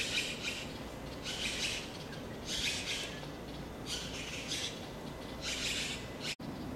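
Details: Taiwan blue magpie at a nest during the 2013 breeding season, while eggs are incubated and chicks fed; coarse, noisy rasping calls, one roughly every second in a steady run of five or six, with a sharp click near the end.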